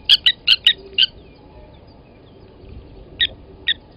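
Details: A cluster of five hard metallic clinks, a pause, then two more spaced notes from Blacksmith lapwings at Gowrie dam, South Africa, 29 August 2020, where an adult seized and killed a chick at the nest.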